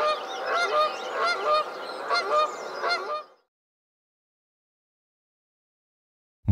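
Canada geese give a run of nasal, resonant honks, several birds overlapping in quick succession.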